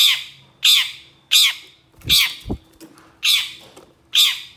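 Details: Long-tailed shrike (cendet) in a training recording, harsh rasping squawks while agitated by another shrike: six grating falling notes at uneven intervals, with a dull thump and knock in between.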